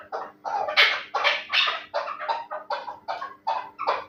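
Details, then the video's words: Terali chukar partridge, a fighting and hunting bird, calls in a rapid run of hoarse, clipped chuck notes, roughly two to three each second, fairly even in loudness, with a faint constant hum behind. "Кабки Терали"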